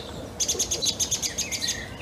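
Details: Song thrush in Cambridge on 2 July 2021 near a holly, agitated by a magpie, possibly one close to its nest. It gives a fast, high ticking chatter of about a dozen sharp notes in quick succession.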